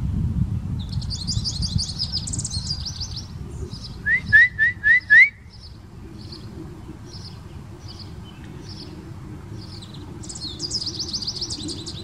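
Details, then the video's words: A house finch, possibly yellow, high up in a tree sings bright, high, jumbled warbling phrases at the start and end, quieter replies to a person's whistling. Between them come five loud, quick, rising human whistles over a low rumble. "singing bird way up in the tree"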